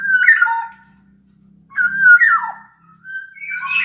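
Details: Big Sumbawa black-naped oriole in captivity, sung as a lure so idle orioles start calling: clear fluty whistles that slur downward, a longer rolling phrase, then a rising bright whistle, with a faint low hum.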